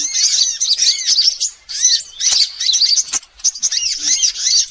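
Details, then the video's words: Sunbird lure sound meant to attract birds, with many kinds mixed. Dense shrill twittering with rising-and-falling arched notes comes in three or four bursts, split by brief silences. "Suara pikat semua jenis burung kolibri"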